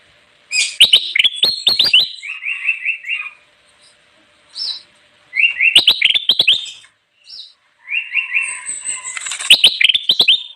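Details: Bulbul (kutilang emas) in full, vigorous song used for luring wild birds: bursts of sharp, rapid chattering notes and buzzy whistled phrases, three loud sequences separated by short pauses.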